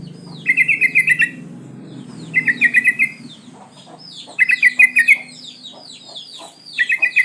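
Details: Breeding female sooty-headed bulbul calling males: repeated bursts of fast chattering notes, roughly every two seconds, interleaved with many thin falling chirps of other birds.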